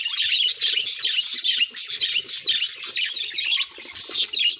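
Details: Close budgerigar chatter read as emotional expression: fast, loud runs of scratchy twitters and short whistles in pulsing bursts, briefly dipping in volume before resuming.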